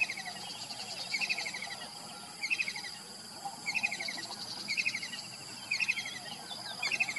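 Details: Kingfisher calling in the morning: short chattering bursts of sharp high notes, repeated roughly once a second, over a steady high insect hum and faint rural background.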